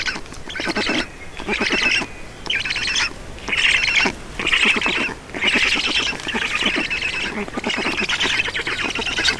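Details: During a nest feeding in Estonia on 4 June 2019, black storks give rasping, squeaky pulse trains in roughly one-second bursts, about once a second, fairly regular, with short quiet breaks.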